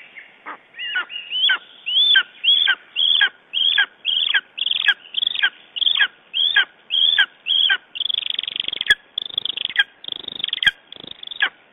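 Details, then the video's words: Morning calling of a lesser spotted eagle, Estonia, 9 June 2011: a steady series of about twenty loud, high yelps, each bending sharply downward, repeated roughly twice a second. Near the end they become a rougher, blurred burst. "Lesser Spotted Eagle Estonia - Talking in the morninig"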